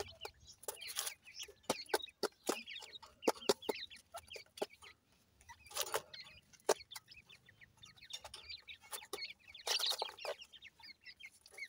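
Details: Captive Dakhni grey francolin chicks in Multan, Pakistan: many high, thin peeps and short chirps overlap continuously, punctuated by sharp clicks and knocks from handling or cage noise.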